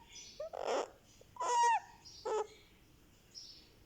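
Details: One-month-old Indian ringneck parakeet chick indoors while getting a head massage, giving a few short squeaky and buzzy calls with one clear rising-falling whistle, separated by quiet gaps.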